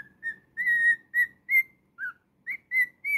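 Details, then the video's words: Pet cockatiel singing indoors: a quick series of clear, level whistled notes with bright overtones, about eight short phrases in three seconds, one lower, downward-slurred note in the middle; faint low rumble underneath. "Naughty Cockatiel singing"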